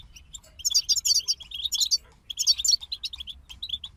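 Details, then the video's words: European goldfinches singing together: a lively stream of quick chirps and jingling trills in two busy bursts, then scattered short notes. "King of Songbirds Goldfinch Group Motivations for Songbirds"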